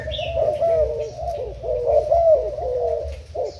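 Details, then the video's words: Thai-type spotted dove kept as a decoy bird, recorded 10 April 2018: a continuous run of soft, low, bubbling coos with rounded rising-falling notes, overlapping without pause, and faint higher chirps in the background. "Cu gáy mồi úp thailand"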